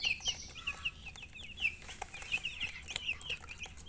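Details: Baby chicks keep up steady shrill peeping: sharp, high, falling chirps repeat several times a second in lively irregular runs.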